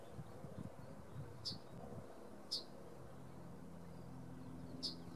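A male yellowhammer gives three short, sharp, high call notes spaced a second or more apart, over a steady low rumble of distant traffic or wind.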